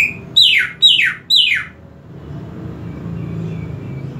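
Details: Greater green leafbird, a kept bird, recorded in a piece on boosting its excitement and breeding drive: three strong, bright whistles, each falling sharply in pitch, come in fast sequence, then give way to quiet low hum.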